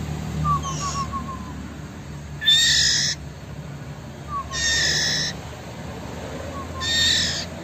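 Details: A white-rumped shama of Sumatran origin, recorded in Bengkulu, gives soft falling whistled notes broken by three harsh, hissing bursts about two seconds apart, over a steady low hum.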